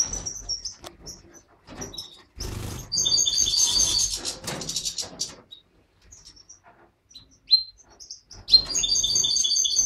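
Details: A caged pair of mutated European goldfinches, a satiné male carrying white-head and a yellow parva female, in an aviary. Clear, bright, high chirps come in scattered bursts, with rustling and clatter between them.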